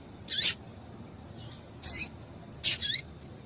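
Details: Female double-collared seedeater call, used to stimulate males into singing: three short, bright, high-pitched notes, each with a quick downward slur, spaced about a second apart over faint steady hiss.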